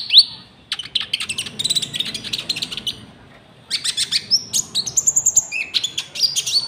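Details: Common iora song with cricket-like fills, used to lure wild birds and tutor caged birds: dense chattering bursts, a brief pause, then rapid rattling phrases topped by thin high whistles.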